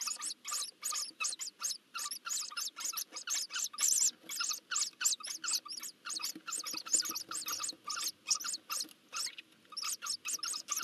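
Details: Eurasian hoopoe chicks being fed at the nest in Nagyberény, Hungary, on 12 June 2024: a dense run of short, hissing, high rasping notes repeated rapidly, several per second, with brief gaps between bursts.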